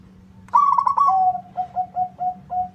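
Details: A local zebra dove calls out to a rival: one rippling trill runs straight into a long soft note, then five short mellow coos spaced evenly, with low background hum.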